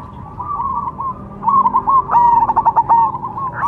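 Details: Cemani zebra dove song: faint rolling coos that swell into a burst of crisp, rapid staccato notes near the end, steady in pitch, against low background noise.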